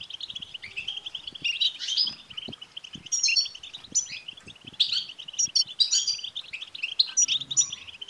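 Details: Batbata song of goldfinches, used to stir a caged male goldfinch into song. A busy, unbroken mesh of buzzy, liquid chirps with frequent sharp, metallic flourishes rising above it.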